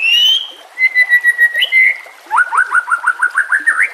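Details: White-rumped shama song used to lure and train other shamas: a long steady whistle, a level whistled note, then a fast run of about ten rising, slurred whistles repeated in quick succession.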